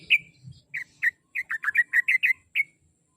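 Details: Sooty-headed bulbul singing as a lure recording meant to make a pet bird sing regularly: bright, bubbly whistled notes, first spaced out, then tumbling in a quick cluster of about eight before one final whistle, with faint low noise at the start.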